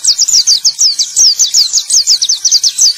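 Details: A male white-eye sings a fast, high, tumbling run of thin sweet notes, each note dropping in pitch, several times a second without pause. The song is used as a lure to restart silent caged white-eyes.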